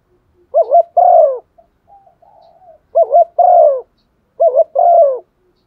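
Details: Spotted dove kept as a decoy, cooing to incite others: three low phrases of a brief wobbling double note then a sustained, slightly descending coo, with soft faint murmurs between phrases.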